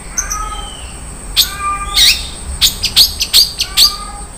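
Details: Cendet (long-tailed shrike) song, 'isian mewah' style: faint thin whistles open, then a series of loud, sharp, high chips in an irregular rapid run.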